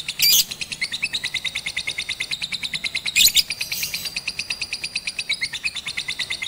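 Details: Lovebird of the Batman type trained on a rooftop with a master recording, 18 April 2021; a long steady run of quick, high ticking chirps, broken by two brief loud rasping bursts.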